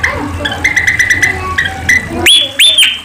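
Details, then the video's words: Sunda pied fantail: a steady buzzy chatter of repeated short notes, then two bright, arching whistled notes close together at the end. "Suara Burung Kipasan | Bird Sound Rhipidura javanica"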